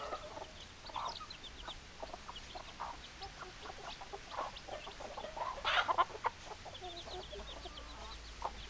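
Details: Flock of hens clucking: dense, irregular short clucks and cackles overlapping, with a brief louder burst around the middle and a low steady hum underneath.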